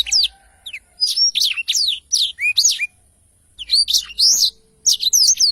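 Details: Black-throated canary in energetic, long rolling 'ngerol panjang' song, recorded clearly as training audio for songbirds: rapid high twittering bursts of rising and falling slurred notes, a pause of about half a second, then a second fast phrase.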